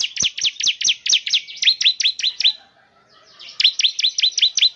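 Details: Bar-winged prinia lure song for a caged semi-active bird, evenly paced series of high, sharp, downslurred chirps, a pause, then another similar run.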